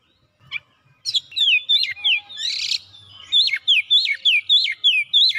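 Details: Oriental magpie-robin in full song while seeking an opponent, starting with a short buzzy note, then a harsh rasp, then a steady series of loud looping whistles repeated about three times a second.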